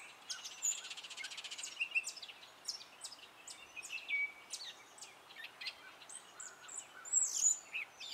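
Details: Spring song of a male Gray catbird: a jumble of scratchy chirps and whistled slurs, with a buzzy rattling passage near the start and a loud sharp note near the end.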